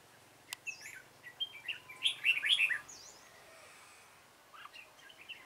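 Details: Red-whiskered bulbul with a dark bib, recorded during bulbul trapping on 28 February 2017: a loose string of short warbled, slurred notes climbing and dipping, loudest in a rapid cluster midway, with a few softer chirps after a quiet pause.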